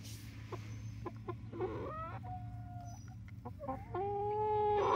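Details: Barred Rock and Gold Star chickens at 19 weeks old in Grimes County, Texas: soft taps, then whistled calls, a long level note, and a final long rising whistle growing louder, over steady hum.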